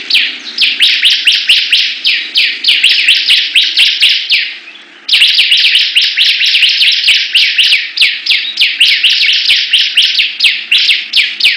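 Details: Competing bar-winged prinias (ciblek): continuous fast series of bright descending chirps, one brief break midway, then an equally dense run resumes, peppered with sharp clicks.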